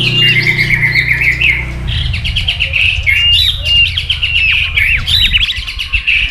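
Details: Competitive song of a white-rumped shama, provoked to sing against a rival: a long run of rapid, sliding whistled notes and chattering phrases, with a low droning hum for the first two seconds.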